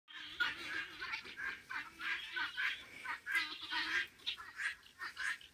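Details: Guineafowl give harsh, grating chatter in rapid, uneven bursts, several birds calling together as the owner's guineas cross a road.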